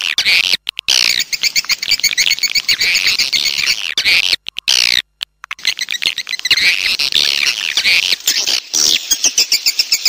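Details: Swiftlet call played to attract swiftlets: dense, rapid chirping twitters, high and shrill, running in long overlapping bursts broken by a few short silent gaps.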